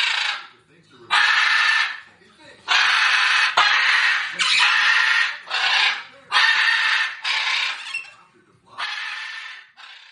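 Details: Repeated harsh parrot screeching: eight or nine coarse, noisy squawks of varying length delivered at an uneven pace over ten seconds.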